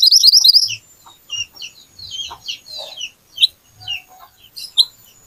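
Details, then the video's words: Little pied flycatcher singing hard as a lure to draw song from other birds: an opening rapid high trill, followed by scattered chirps and short slurred notes. "Pancingan Burung Mantenan / Kuniran Gacor Nembak Tajam"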